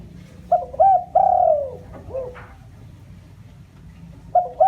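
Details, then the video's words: Spotted dove lure call for provoking wild birds: paired short coos, a long descending coo and a clipped final note. The next phrase begins near the end over low background rumble. "tiếng chim cu gáy mồi chuẩn cực hay kích bổi"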